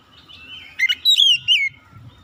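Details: A magpie-robin gives a short burst of song: a few scratchy chips, then two rich, sweeping whistled phrases that slide down in pitch, with a low background rumble.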